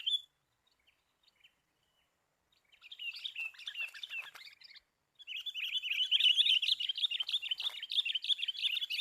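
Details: Sooty-headed bulbul calls, played as a lure for trapping birds: a brief note, then two bursts of fast, dense, high chattering and twittering, the second louder and continuous to the end.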